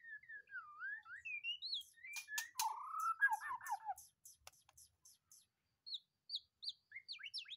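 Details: White-rumped shama removed from a breeding cage and singing at once: flowing whistled phrases dipping and rising, a lower warbled passage with many sharp clicks, then short high whistles.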